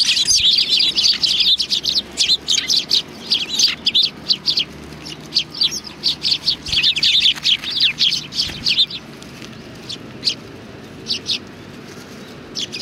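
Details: A flock of sparrows arriving to be fed at a Tenmangu shrine, 25 November 2020; dense, rapid overlapping chirping for about nine seconds, then thinning to occasional short tweets.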